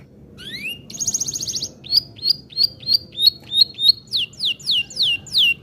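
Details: Canary, a lively long-singing kenari gacor, in a varied song: a rising whistled slur, a rapid buzzy trill, then clear piping notes repeated about three per second, ending in a run of steep downslurred chirps over low background hum.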